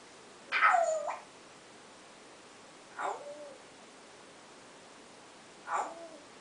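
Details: Indoor pet African grey rehearsing a new "oowww" sound it recently adopted, giving three falling "owww" calls spaced about two and a half seconds apart, the first loudest and longest, later ones softer.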